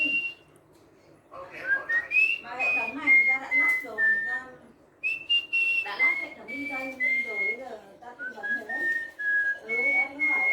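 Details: Albino ruby-eyed cockatiel (Nymphicus hollandicus) able to sing along to a melody, whistling clear, drawn-out notes that slide up and level off, with people talking over it.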